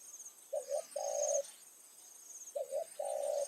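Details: Evening lure calling by a captive decoy spotted dove; two phrases, each a stuttered pair of short notes leading into a long even coo, about two seconds apart, with insect chirping in the background.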